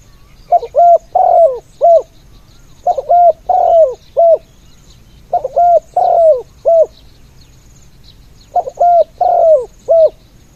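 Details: Decoy spotted dove cooing to draw in other doves: a mellow phrase of about five hooting notes with one longer falling coo, repeated four times roughly every two and a half seconds.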